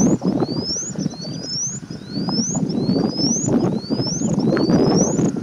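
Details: An Indian Bush Lark in display gives thin, high whistles that slide upward, repeated about every 0.7 seconds, over strong low rumbling wind or engine noise.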